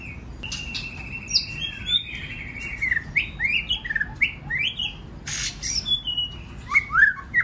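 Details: Varied White-rumped shama song meant to stimulate other shamas to sing, opening with a long steady whistled note, then rapid rising and falling whistles, chips and chatter in quick succession.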